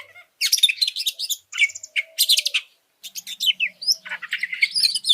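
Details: Training song of an oriental magpie-robin, played to provoke other birds: energetic bursts of shrill, scratchy chirps and trills separated by a clear pause, with a faint low hum underneath.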